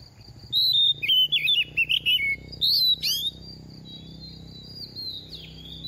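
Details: Moulting oriental magpie-robin in its second season, singing a run of rapid warbled whistles that wobble downward, then a few sharp upswept notes, fading into a thin sustained high tone and soft background noise.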